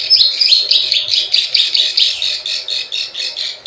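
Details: Plain prinia call used as a lure for wild birds: fast repeated scratchy, buzzy notes run together in a steady churring chatter, roughly four per second.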